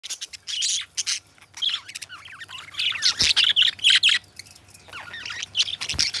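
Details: Two pet budgerigars, described as best friends, warble together in busy high chatter, with clicks, squeaks and short rising whistles in bursts separated by brief pauses, plus a few sharp broadband ticks.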